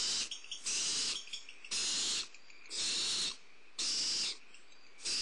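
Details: Barn owl owlets calling at a prey delivery, on a nest camera at Starr Ranch, 2 April 2011. Long, harsh, breathy hisses follow each other about once a second, with short pauses between them.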